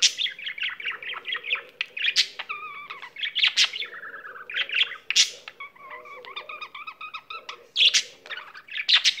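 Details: Singing pet budgerigar mixes rapid clicks and chirps with stepped, wavering whistles and scratchy notes, sharp squeaks breaking in, a steady low hum beneath throughout.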